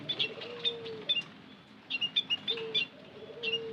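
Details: Sparse high chirps from white-headed munia, used to lure birds, in small groups separated by short pauses, alongside low, flat whistled tones.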